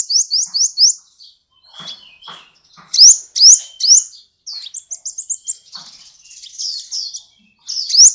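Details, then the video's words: Sunbird sings full-voiced, a 2014 international competition champion: quick high chirped runs, scattered softer notes, then loud sharp upswept whistles and mixed rapid twittering phrases. "BURUNG KOLIBRI GACOR"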